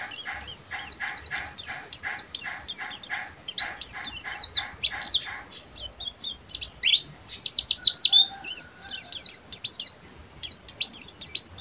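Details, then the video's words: Oriental white-eye of the Buxtomi type in full ngeriwik song: dense, rapid high twittering of short sharp notes, with a lower pulsed series of chips through the first half and sweeping whistles later. "SUARA BURUNG‼️PLECI BUXTOMI FULL NGERIWIK"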